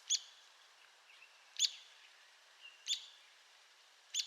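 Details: Sharp single high notes from an Arizona woodpecker, each a short piercing peek, spaced about every one and a half seconds, with a faint softer note between some of them.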